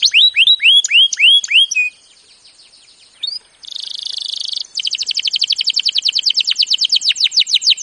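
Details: Canary training song that opens with looping upward-curving whistled notes and a thin sustained tone. A short buzzy burst follows, then a long rapid trill of crisp repeated notes runs to the end. Recorded clean and close.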